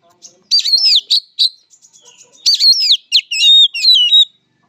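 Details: Fighting song of an oriental magpie-robin, locally kacer, in Indonesia: two vigorous bursts of ringing whistles, quick upward and downward slides and sharp clicky chatter, with faint twittering between them.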